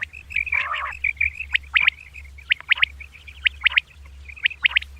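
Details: Common quail, female, calling in the morning: sharp, high chirping notes in quick pairs and triplets, about once a second, over steady high hiss with a brief rustle near the start.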